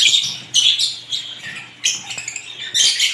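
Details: Mixed lovebirds let out short, bright bursts of squeaky chirping, three or four separate flurries divided by brief quieter gaps.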